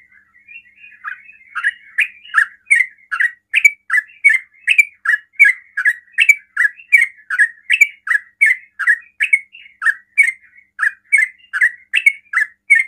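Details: Provocative ropel song of a yellow-vented bulbul, sung very fast to get other bulbuls to reply: soft warbling at first, then a long even series of loud bubbly chirps about two per second.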